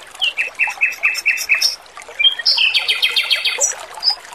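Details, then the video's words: Male Pekin robin in full song for bird-training, set against the sound of trickling water: a run of six short repeated notes, then higher whistles and a fast rattling trill, with faint chirps behind. "MASTERAN BURUNG ROBIN JANTAN GACOR, SUARA MERDU DAN JERNIH || SUARA KEMERICIK AIR"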